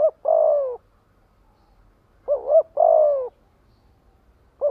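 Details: Spotted dove used as a decoy, calling to lure and gather others of its kind: pairs of low, hollow cooing phrases, each a short double coo followed by a longer falling coo, repeated about every two seconds in a quiet setting.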